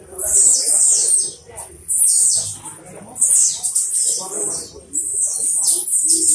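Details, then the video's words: Blue-black grassquit, the first-place winner of a singing tournament at Pau Grande, Magé, Rio de Janeiro, Brazil, gives four very high, buzzy, hissing song bursts about every one and a half seconds, with faint voices beneath. "TIZIU MAGNATA. #tiziu #torneiodetiziu"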